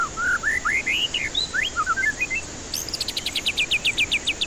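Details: White-rumped shama lure song meant to stir stressed, silent birds: a fluent rising-and-falling whistled warble leading into twittering notes, then a fast, evenly spaced trill of high downward strokes.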